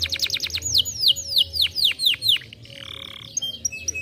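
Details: Canary song played to stimulate canaries: a quick trill leading into loud, sharply descending whistles about three per second, then a soft nasal warble and scattered high notes.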